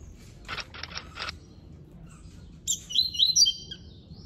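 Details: Captive-bred Double-collared Seedeater, classic-song (canto clássico) line, song: four quick buzzy notes, a brief pause, then a bright, fast warbling phrase of high twittering whistles.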